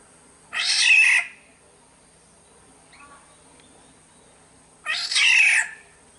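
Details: Kepodang, or black-naped oriole, from Sumbawa, in a lure recording: two drawn-out, scratchy, mewing calls about four seconds apart, each slightly under a second long, with near silence between them.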